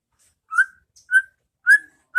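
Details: White-rumped shama song for training caged birds to sing: four short, clear whistled notes, each slightly rising, spaced roughly half a second apart against a silent background.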